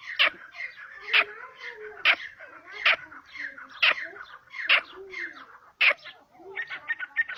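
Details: Grey francolin in its natural habitat in Pakistan: sharp, loud, broadband notes repeat roughly once a second, with softer chattering and twittering between them.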